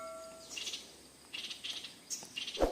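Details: Female Stripe-throated Bulbul gives short, high, chattering bursts, three or four in quick succession. Faint music fades out at the start, and a dull knock comes near the end.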